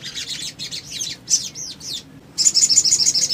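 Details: Little spiderhunter lure song: quick clusters of sharp, high chit notes and a few arched, swooping whistles, a short silence, then a rapid, even run of loud chirps.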